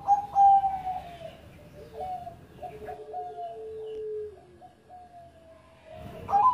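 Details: Former champion zebra dove of the Bangkok type in lively song: a string of short downward-hooked coos at two pitches over a sustained low tone, opening and closing with louder bright notes.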